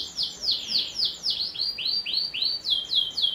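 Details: Canary singing to coax young birds into song: a steady run of high, sweeping whistled syllables repeated about four times a second, changing note shape partway through the series.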